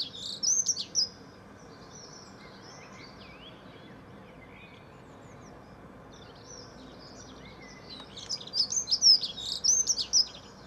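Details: Dunnock singing in a back garden, dated 9/4/14: a short, high, rapid warble near the start, then a longer, jumbled, twittering phrase after a quiet gap of several seconds, with faint background hiss.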